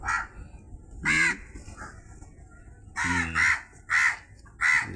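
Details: Crow uttering loud, hoarse caws, a lone call followed by a tight cluster of three or four, each harsh and nasal, against a quiet background.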